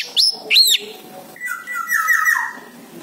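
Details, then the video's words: Lure song of an orange-headed thrush meant to make a silent bird reply: two loud, arched high whistles, then a softer rambling warble in a middle register with overlapping fluttery notes. "PANCINGAN ANIS MERAH MACET BUNYI"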